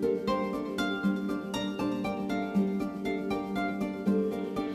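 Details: Plucked string music with a steady rhythm of repeated notes plays throughout, with no animal sounds.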